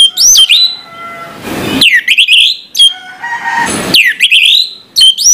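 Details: Singing orange-headed thrush heard in the morning: rising whistled notes and loud descending slurs alternate with short bouts of rustling noise.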